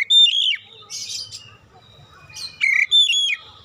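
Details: Oriental magpie-robin singing as a lure for caged kacer: a rich whistled phrase, then a buzzy chattering burst, soft twitters, and another loud whistled phrase near the end.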